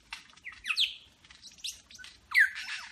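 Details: Superb lyrebird in Berowra Valley National Park performing a medley of other birds' calls: squawky and whistled notes with rising and falling sweeps, loud bursts around the middle and end, quiet pauses between phrases.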